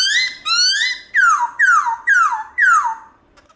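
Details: Wild-style, many-voiced song of a black-throated laughingthrush. Six loud, rich whistled phrases: the first two slur upward, the later ones swoop down, each about half a second long with brief pauses.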